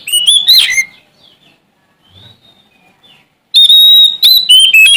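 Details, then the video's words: Oriental magpie-robin of the Sumatran type, singing hard in search of an opponent. A burst of bright, slurred whistles fades into near silence, then a long, clear whistle returns with rapid, varied notes. "Suara Asli Kacer Sumatra Gacor Cari Lawan"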